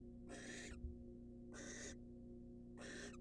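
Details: Wild barn owl in a monitored nest box, incubating after swallowing a mouse; three harsh, broadband hissing screeches, each about half a second, over a steady low hum.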